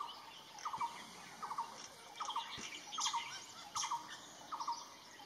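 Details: Red-billed blue magpie in Himachal Pradesh (Kangra), India, giving short bursts of rapid, clipped notes repeated roughly every second, with other birds chirping and a steady high insect drone behind.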